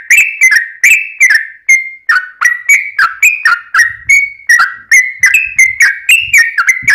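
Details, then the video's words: Yellow-vented bulbul singing to draw replies from other bulbuls: a steady sequence of loud, bubbly whistled phrases, each dipping and rising, roughly one per second, with faint low rumbles in the background. "trucukan gacor ROPEL PANJANG buat pancingan trucukan agar bunyi"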